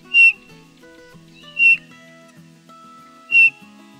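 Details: Eurasian bullfinch in Poland gives three soft, short piping whistles about one and a half seconds apart, over quiet background music.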